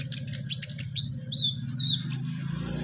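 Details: Rapid high ticks give way to clear, thin whistled notes, some sliding downward, from a kolibri ninja sunbird; played as therapy to encourage singing, over a low background hum.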